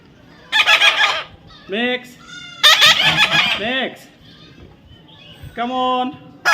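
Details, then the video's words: A baby parrot under taming mixes harsh screeches with smoother, rising-and-falling tonal calls that sound almost voice-like, several in quick succession. "natural funny parrot sound"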